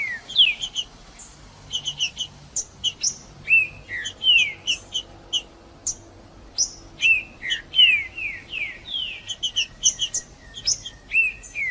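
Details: Male green-winged saltator singing in a forceful 'macheando' style, used to warm up other saltators: clear, loud, downslurred whistles in short phrases mixed with sharp high chips, bursts spaced by brief pauses over a quiet background.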